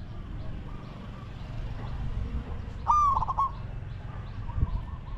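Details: Spotted dove used in decoy luring of wild doves: one loud, wavering coo phrase with a quick tremulous ending, lasting under a second, over low rumbling background noise and fainter coos from other doves.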